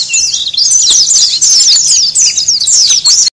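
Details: Oriental white-eye lure calls for catching wild birds: a continuous stream of fast, high, jumbled twitters and chirps, several birds seemingly overlapping, ending abruptly.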